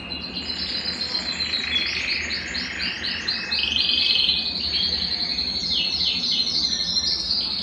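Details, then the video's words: ['Belgian canary song for warming up a cold canary. A loud, high, rolling series of trills and swooping whistles continues unbroken over a low background hum.'] "Canario Belga Cantando - Canto de Canário Belga para Esquentar Qualquer Canário Frio"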